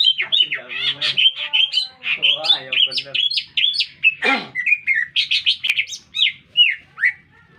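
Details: Green leafbird in full, energetic song in the middle of a city, mixing harsh chattering bursts, scratchy buzzes and clear downslurred whistles in a varied, restless sequence.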